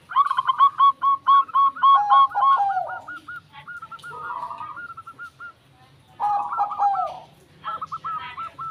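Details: Zebra dove in full song: long, dense runs of quick staccato cooing notes, some phrases dropping in pitch, broken by short gaps.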